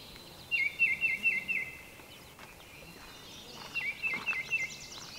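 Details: Baltimore Oriole singing: two bursts of short, down-slurred whistled notes, about six in each rapid series, separated by a pause, with faint high twittering in the background.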